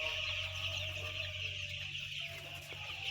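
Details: Roughly ten thousand white chicks give a loud, unbroken chorus of shrill overlapping peeps, rapid and high, above a constant low-pitched hum.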